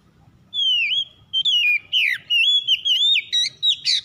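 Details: Kacer (oriental magpie-robin) song to stir a lazy bird into singing: a long falling whistle, then a varied chain of slurred, wavering whistles, ending with a harsher burst.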